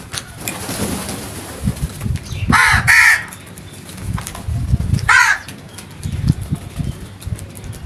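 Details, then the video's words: Crow giving loud, natural harsh caws: a drawn-out pair of hoarse calls, then a single caw a couple of seconds later, over rumbling low background noise. "The Smart Crows Genuine and Natural Sounds loudly"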